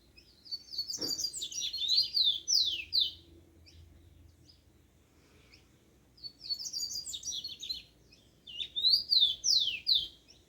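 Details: Yellow-bellied seedeater singing in the wild at dawn: two bursts of high, thin, buzzy phrases with quick slurred down-sweeping notes, separated by a few seconds of quiet, plus a single low thump near the start.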